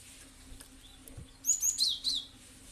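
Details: Cinereous tit (gelatik batu) call used to provoke other birds into sounding; after a hissy pause comes one brief string of four high, sweet, downslurred chirps over steady background noise.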